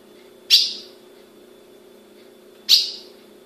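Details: Female ultramarine grosbeak held by a Brazilian breeder calls twice, two bright, abrupt chips about two seconds apart, with a low mechanical hum in the background.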